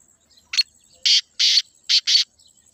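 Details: Black francolin, known locally as kala teetar, calling naturally. A short scratchy opening note is followed by two drawn-out harsh notes and a closing rapid pair, five notes in all over under two seconds.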